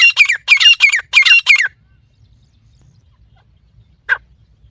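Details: Partridge (teetar) call meant to draw partridges in: five rapid bursts of harsh, rasping notes, each sliding downward, crowded into under two seconds, then a pause and one short lone note near the end; no other clear sounds.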